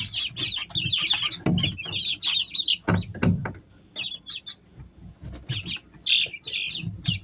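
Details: Easter Egger chicks, three weeks old, in a summer home setting: bursts of rapid high peeping from several chicks, pausing briefly, between loud thuds and scratching.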